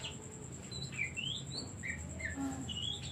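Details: Oriental magpie-robin song used as a lure for reluctant singers: several separate soft whistled slurs, rising and falling, fairly quiet against a steady high tone and a noticeable low hum.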